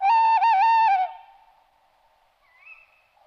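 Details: A tawny owl (Strix aluco) gives a loud, hollow hoot of about one second with a quavering middle, followed by a fainter, rising note.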